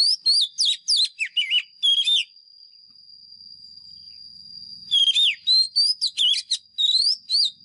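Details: Fighting song of a White-rumped shama lure bird, used to train caged birds: two bursts of loud, varied whistles, swoops and trills separated by a pause of several seconds, over an unbroken high-pitched steady tone.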